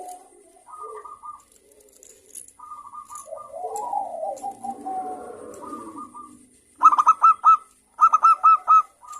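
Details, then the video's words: Local zebra dove singing actively in the morning: soft, scattered cooing and a low trill, then loud bursts of quick stuttered notes, each rapid group followed by a short rolling coo. "perkutut lokal gacor suara Rame manggung bunyi di pagi hari"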